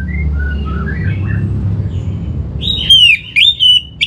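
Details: Caged Orange-headed thrush singing, North Bali, used to lure other birds into song: distant faint whistles give way to a loud slurred whistle and two short bright phrases near the end.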